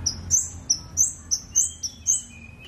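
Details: Scarlet-backed flowerpecker in lively song: high, piercing chirps repeated about three times a second, each with a slight upward flick, over thin, lower, drawn-out whistles.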